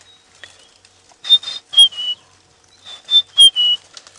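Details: A white-browed scrub robin heard at sunset on 4 August 2016 during an afternoon safari drive in the African bush sings two short phrases of clear, high whistled notes, some slurring downward, about two seconds apart over a quiet background.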